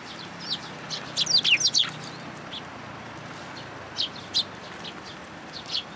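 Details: Sparrows arriving at a plum tree in a Tenmangu shrine to be fed, June 17, 2022: a quick cluster of bright chirps, then a few isolated tweets against steady background hiss.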